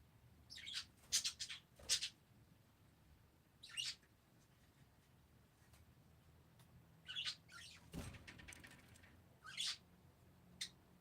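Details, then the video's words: Parakeets calling: short bright chirps and squeaky bursts in scattered clusters, quiet between, with a soft thud near the eighth second. "Peaceful #parakeets"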